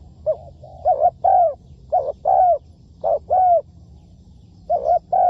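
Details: Decoy spotted dove used in trapping: a short clipped coo followed by a longer drawn-out one, the pair repeated about once a second, steady and low-pitched, with light high twitters in the background.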